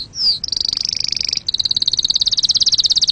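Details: Canary song for teaching fledglings and for mating: one falling whistle, then a rapid buzzy high trill, a short break, and a steady fast rolling trill at a slightly lower pitch.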